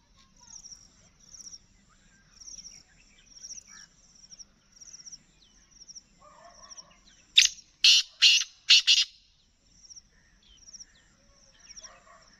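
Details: Calling black francolin, a Gangas Nasal kala teetar: a rough series of four loud, raspy notes, the last two close together, rising out of a background of repeated high chirping from small birds and a continuous insect hum.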